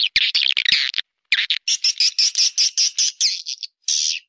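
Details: Swiftlet lure call, 'ratu berdaun' style: rough twittering opens, followed by an evenly spaced string of clear rising chirps and a final buzz.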